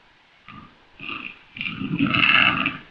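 A hybrid grouse gives three harsh, hoarse, grunting croaks, each longer and louder than the last, ending in a drawn-out rasp.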